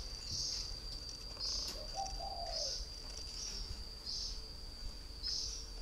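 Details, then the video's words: One mellow, slightly falling coo from a caged spotted dove kept as a three-year-old decoy in northern Vietnam, set against insect chirps pulsing about once a second above a steady high whine. "chim cu gáy hay miền bắc"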